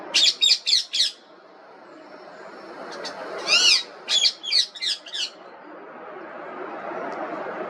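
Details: Indian Ringneck parrot giving loud, shrill squawks: a quick burst of four harsh notes, a pause, then a second run of five or six grating calls, over a faint steady hiss.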